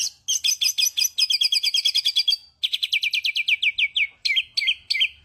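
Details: Songbird rattles off quick, bright chirps, pauses briefly, then runs a series of downward-sweeping notes that slow into spaced, emphatic calls.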